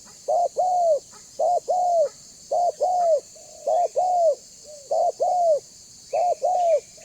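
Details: Spotted dove (tekukur), a banggo-type bird used as a lure to make other doves call and approach; low hollow coos around 600-700, paired short-long phrases repeated about once a second, with steady high hiss in background.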